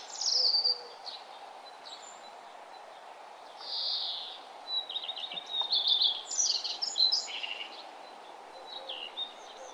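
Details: Morning birdsong on a nature trail as the sun rises: scattered high chirps and short trilled phrases, several overlapping, over a steady background hiss.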